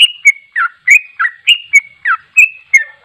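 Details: A sooty-headed bulbul pours out fast ropel song, with a string of short whistled chirps and downward slurs at about three per second and a faint low note near the end.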